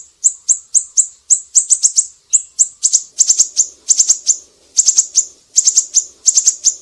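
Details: Gacor siri-siri recording meant for teaching cucak ijo, murai batu and kacer; a continuous run of sharp high chirps, often grouped in quick clusters of two to four, with faint low murmuring behind.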